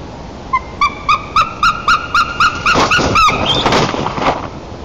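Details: Large eagle at a nest in Nizhnyaya Kama National Park, Tatarstan, 30 March 2024, found as Steller's sea eagle, gives about a dozen hoarse yelping barks, roughly four per second, ending in a rougher burst; a person exclaims.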